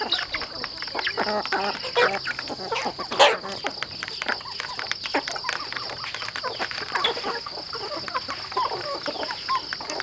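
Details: Chickens feeding on a farm, scattered clucks and murmuring calls mixed with sharp pecking clicks and clatter, one loud knock near the middle, over a constant mechanical hum.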